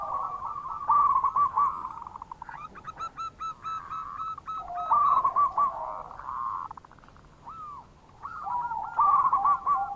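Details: Lure calls of local zebra doves, played to prompt reluctant doves to answer: overlapping rapid cooing trills and clipped notes, a lower purring stretch, two separate rising coos, then a final loud burst.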